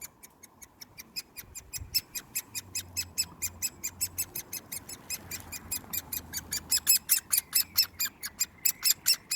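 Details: Hand-fed Great Spotted Woodpecker chick, 1 June 2020, begging insistently: a long series of sharp, scratchy high notes repeated more than twice a second, growing louder toward the end, faint low hum beneath.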